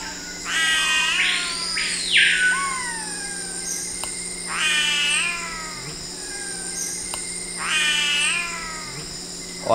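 Great Jacamar giving three drawn-out, mewing calls about three seconds apart, rising then falling like a cat's meow, the first with a long upslurred whistle.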